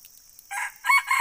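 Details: Red junglefowl crowing: a short, harsh, broken crow in two loud bursts with a brief dip between, set against a steady high-pitched insect drone.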